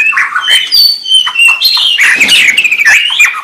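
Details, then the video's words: Dense, continuous white-rumped shama song mixing rich whistles, slurred notes and scratchy squawks at mid to high pitch, delivered with little pause. "SUARA MURAI BATU"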